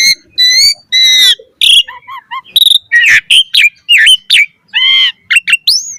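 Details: Asian pied starling in lively full song used as a lure for other starlings: varied loud whistles, rising and falling slurred notes, harsh buzzy bursts and quick chattering phrases in rapid succession, clean background.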